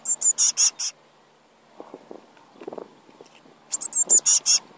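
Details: Eurasian blue tit nestlings in a nest asking for food: bursts of very high, hissing, rapidly repeated begging notes, a pause with soft low rustling and knocking, then another loud high begging burst.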